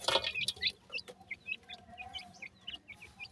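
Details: Grey francolin chicks call to their mother over food, giving thin, high, rising peeps about three or four per second after an opening burst of rustling and scratching.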